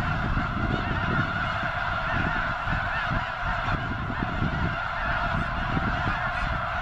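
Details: Huge gathering of snow geese at Potholes Reservoir, likely preparing to fly north for arctic breeding; a thick, steady chorus of nasal honks mixed with gusty low wind rumble.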